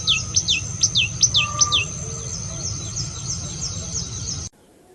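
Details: Songbirds singing in spring nature: a quick run of sharp, high, downward-sweeping chirps over the first two seconds, then softer repeated chirps. A steady low rumble sits underneath, and the sound cuts to near silence just before the end.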